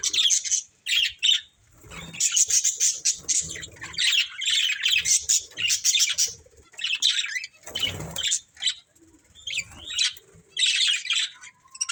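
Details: Pet budgerigars, a breeding pair, trading bursts of scratchy squawks and quick chirps in short runs separated by brief pauses, with a few soft thumps.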